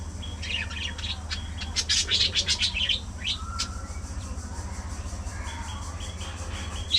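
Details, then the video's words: Budgerigars in a social colony, playing and socializing: a burst of rapid, bright chattering chirps in the middle, then scattered softer tweets over a steady low mechanical hum. "Budgie Parrot Colony! A Colorful & Chirpy Paradise!"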